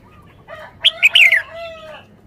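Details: Song phrase of a red-whiskered bulbul shown for its song style: soft warbles lead into a loud cluster of three bright, clipped, falling whistled notes, then fading tonal notes.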